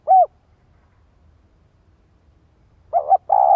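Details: Spotted dove calling as a decoy for wild doves. A single falling coo, a pause, then two quick mellow coos leading into a sustained rolling, tremulous note.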